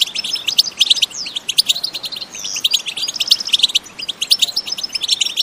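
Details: Loud, lively batbata song of a European goldfinch, no effects added: quick staccato chirps, slurred whistles and buzzy twitters repeating in rapid bursts across the whole stretch.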